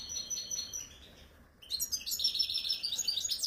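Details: European goldfinch, wild-caught, from Algerian bird keeping: a brief high twitter, a short pause, then an energetic run of rapid, tinkling, buzzy trills and chirps.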